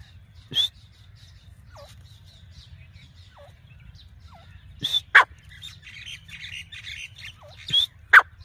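A francolin gives loud, sharp, harsh notes every few seconds, sometimes in quick pairs, with softer down-slurred notes between them over a low steady hum.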